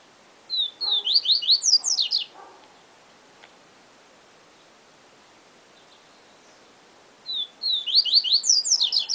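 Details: Yellow-bellied seedeater singing the 'siu siu professor' style song: two bursts of clear whistles, an opening note then rapid rising and falling slurred whistles, with faint low chirps between phrases.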